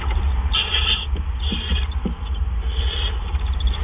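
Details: Owl arriving with food at night, 4:03 AM on April 12, 2013: three rasping hisses spaced about a second apart, with faint clicks and a steady low hum.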